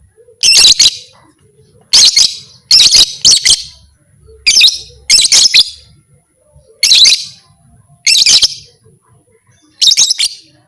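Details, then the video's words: Call of a lovebird meant to spur other lovebirds into fighting: about nine bursts of sharp, screechy double or triple chirps, repeated roughly every second with short quiet gaps between. "Suara burung lovebird ini 100% merangsang lovebird lain Jadi Fighter"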